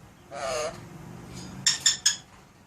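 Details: Indoor pet Alexandrine parakeet producing sound effects: a harsh, buzzy drawn-out squawk followed after a gap by three quick sharp clicking chips.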